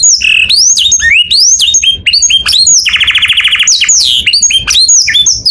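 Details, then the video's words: Canaries singing in the morning: a fast stream of bright whistled notes sweeping up and down, with a buzzy rapid trill near the middle and sharp chirps around it. "O SOM DOS CANÁRIOS FAZ OUTRA EMOÇÃO DOS CANÁRIOS E ALEGRIA A VOZ DA MANHÃ"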